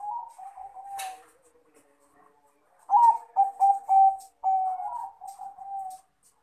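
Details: Male zebra dove of crossbred Bangkok type calling a rival: a soft rolling coo, a sharp click, a pause, then a loud run of clipped cooing notes easing into longer, warbling coos that fade out.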